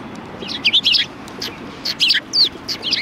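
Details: A flock of sparrows at a Tenmangu shrine, recorded 4 March 2020, gives quick twittering chirps, some notes bending up and down, in two close bursts over three seconds.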